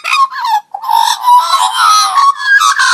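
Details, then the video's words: Magpie uttering a near-continuous run of unusual robot-like sounds, harsh and grating with steady droning tones and rasping textures. "Pigarotti Making Unusual Sounds"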